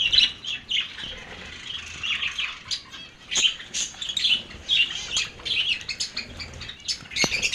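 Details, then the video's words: Lovebirds giving a continuous chatter of harsh, squawky chirps and short screeches, overlapping and irregular, with brief louder bursts through the clip. "love birds"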